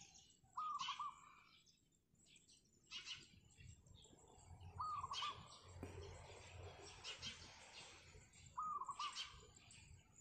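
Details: Rooftop zebra dove in the wild at morning, three rolling stuttered coo phrases repeated about every four seconds, with high chirps from other birds and some low background rumble.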